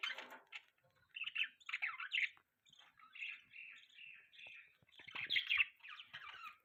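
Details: Pet budgies chirping: a soft, warbling chatter of short scratchy notes and twittery phrases, irregular and continuous, rising into a louder, busier burst near the end.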